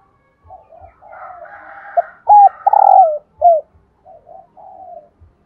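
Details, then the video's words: Female spotted dove call, played to prompt males to coo: soft low murmuring notes, then a short burst of loud hollow coos, before fading back to quiet murmurs. "Tiếng cu mái"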